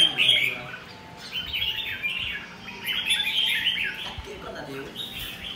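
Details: Red-whiskered bulbul in full song, dense runs of sharp chirps and slurred whistles in repeated bursts about a second apart, with low murmured speech in the background.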